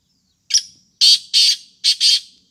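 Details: Black francolin giving a loud, harsh, grating call: one rasping note, then a pair of broad scratchy notes, a short pause, and another rasping pair, all against a quiet background.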